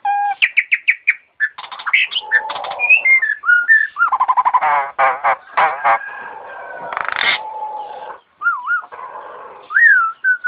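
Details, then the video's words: Starling mimicking an ambulance siren in a varied medley: rapid repeated upswept notes, rattling buzzy trills, a harsh noisy burst, a long level tone and wavy rising-falling whistles. "Kicau Burung Jalak Jos Manggung Menirukan Suara Mobil Ambulance"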